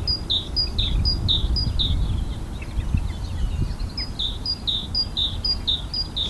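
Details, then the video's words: An adult great tit singing on a power line and moving around gives a bright two-note phrase, high then lower, about three times a second in two bursts, over a steady low rumble. "Great tit singing on power line"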